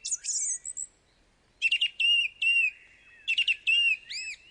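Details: A male Song Thrush in Britain sings loud, clear phrases of high, ringing notes, repeating short notes in quick twos and threes. He sings each phrase twice over, drawn from a repertoire of over a hundred, proclaiming his territory.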